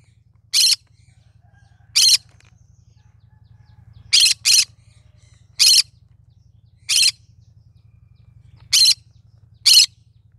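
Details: Cinnamon green-cheeked conure singing: eight short, scratchy screeches at uneven intervals, including one rapid pair, backed by a continuous low mechanical hum.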